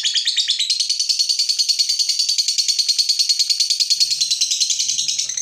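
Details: Fighter lovebird provoked into its long 'ngekek' trill: an unbroken, shrill, rapid rattling chatter held for over five seconds at a steady fast pulse. No other sounds.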